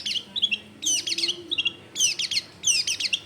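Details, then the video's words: Long-tailed shrike song meant to draw other shrikes into singing, from a crowded neighbourhood home: three bursts of fast, scratchy, high descending twitters, each under half a second long. "SUAR BURUNG CENDET GACOR COCOK BUAT PANCINGAN CENDET BAHAN BIAR IKUT BUNYI"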